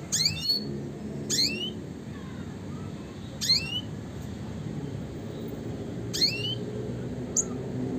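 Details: Red siskin, classic type, in a recording made to train songbirds. Single sharp upslurred notes, each a bright rising whistle, repeat every one to three seconds against a quiet low hum.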